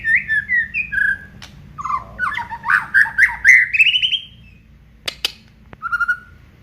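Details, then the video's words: White-rumped shama of the Aceh variety in full song, showing off its repertoire: varied clear whistles, then a fast series of slurred notes climbing steadily higher, a few sharp clicks, and a closing low steady whistle. "FULL KICAUAN BONGKAR ISIAN MURAI BATU ACEH"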